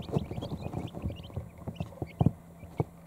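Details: Hours-old quail chicks in a brooder trying to find a resting position under a heat plate; a burst of short, high peeps early on, thinning out, with low knocks and a few louder thumps.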